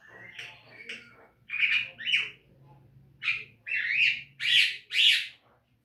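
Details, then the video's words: Caged Javan myna song used to train birds to sing: soft chattering, then loud harsh squawks and buzzy rising notes coming faster toward the end, over a low background hum. "Masteran jalak kebo agar rajin bunyi"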